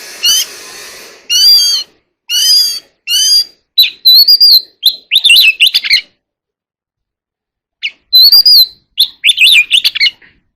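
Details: Oriental magpie-robin in contest singing: four spaced harsh, buzzy harmonic notes, then rapid bright warbling and whistled phrases, a two-second pause, and another warbled burst.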